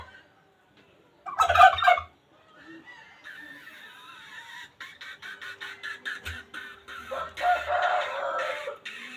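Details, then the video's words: Wild junglefowl: a loud, short, harsh crow near the start, then a steady rattling buzz in the background and a second hoarse crow later. "suab qaib qus qua zoo tiag2 li"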